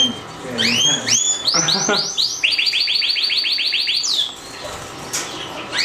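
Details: A Yellow Variegated Canary sings clear whistled notes swooping up and down, then a rapid, even trill of about a dozen high chips, ending in a falling note.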